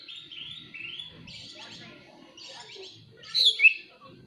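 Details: Oriental magpie-robin song played as a lure to provoke other magpie-robins to sing: a string of whistled, slurred notes around mid-high pitch, ending in a louder sharp rising-falling flourish, with faint low background rumble.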